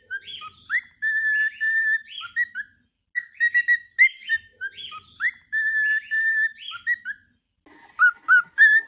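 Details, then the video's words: Singing pet cockatiel, played to train cockatiels to sing: a repeated whistled tune of short upswept notes leading into long level whistles, the same phrase heard twice with short silent gaps. "Training Cockatiel to singing"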